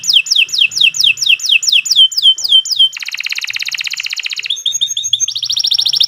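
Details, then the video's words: Canary, kenari, giving long master song for training: loud swooping whistled notes repeated quickly, then a dense buzzy roll, clipped tones and a fast high trill. "Kicau Burung Kenari 139 II LUAR BIASA GACOR PANJANG Cocok untuk Masteran"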